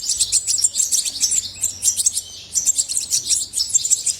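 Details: European goldfinch singing a continuous, rapid, high twittering song of tinkling, liquid notes, with bursts of trills that run almost without pause.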